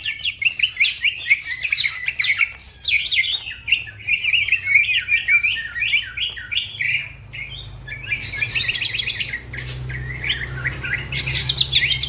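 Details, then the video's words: Green leafbird (cucak ijo) singing nonstop: scratchy, squawky chirps and slurred whistles strung together rapidly, a few short pauses, steady low hum in the background. "The green cucak bird makes noise, other birds also become gacor"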